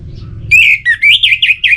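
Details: Orange-headed thrush singing, used to spur birds to sing: one loud, rich warbled phrase of rapidly rising and falling whistled notes, about six linked slurs in just over a second, over a faint low hum.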